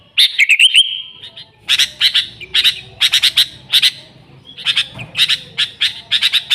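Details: Sooty-headed bulbul singing busily, an original recording without filler songs, meant to lure the species: an opening warbled whistle followed by evenly spaced pairs and triplets of sharp, bright notes.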